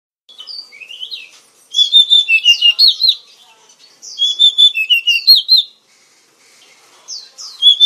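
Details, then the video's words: Oriental magpie-robin (kacer), described as a fighting and songbird kept by Indonesian bird lovers, singing bursts of sweet, high whistled and slurred notes in two loud phrases with a short pause, then a brief third start. "KICAU BURUNG KACER YANG MERDU || MAGPIE ROBIN VOICE"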